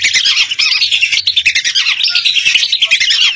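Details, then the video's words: Hundreds of lesser whistling ducks calling together, a recording made for luring birds: a dense, continuous chorus of high, thin whistles overlapping without pause, each note briefly rising and falling. "Suara burung Belibis RATUSAN untuk pikat"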